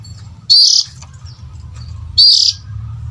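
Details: Oriental magpie-robin lure call for attracting adult birds: two sharp, upslurred whistles about 1.7 seconds apart against a constant low rumble.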